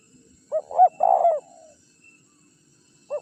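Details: Spotted dove decoy sound for luring rivals gives one phrase of two short upward-curving coos and a longer mellow note, then silence and the start of another coo.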